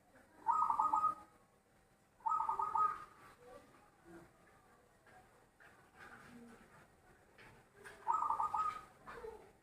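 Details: Zebra dove with a loud voice singing: three bursts of rapid, rolling, stuttered cooing, each under a second long and repeated every couple of seconds, with quiet talking in the gaps.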